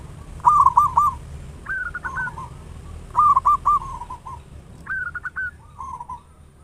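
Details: Local zebra dove with a loud voice, in full song and used as a lure to get other doves singing fast. Short bursts of three or four bubbling coos alternate with slightly higher trilled phrases, several phrases in quick succession.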